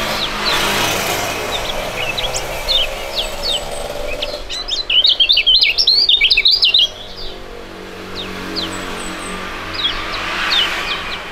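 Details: Young Indonesian songbirds, two singing together, both fighting-type birds with good contest records; sparse high chirps lead into an intense run of rapid, crowded slurred notes for about two and a half seconds, then fading scattered chirps.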